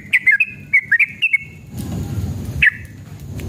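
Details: Yellow-vented bulbul singing to lure caged birds into answering. A brief burst of clear, chirpy whistles gives way to a rush of broadband noise, then a single sharp note.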